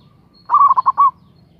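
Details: Local zebra dove with a loud voice, calling to draw a rival: one clear phrase of fast, mellow cooing notes that trail into a final longer coo, over a quiet low hum.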